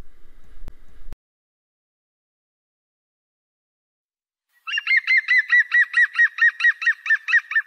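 A European Green Woodpecker gives a loud, laughing run of about fourteen ringing notes, quick and even, drifting slightly downward. It follows brief clicks and human laughter.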